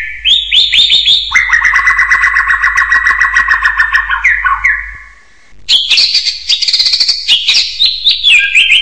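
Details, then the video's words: Hill myna giving loud, clear whistled calls: a rising note, then a long buzzy-edged tone with rapid pulsing that slides down. A brief pause follows before higher sliding whistles resume with a run of quick clicks. "SUARA BURUNG BEO"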